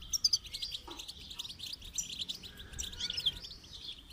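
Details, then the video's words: Goldfinch song heard during song training: quick sparkling twitters and tinkling trills, steady and high, with a couple of brief lower notes and faint background hiss. "Motivational rewards for training goldfinch to song"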